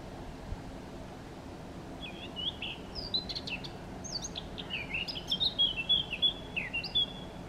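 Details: Eurasian blackcap in Chełm, Poland, on 17 May 2022, singing during breaks in feeding: soft twittering notes at first, then a louder rush of quick chirps ending in pure whistled phrases, with a steady low hum behind.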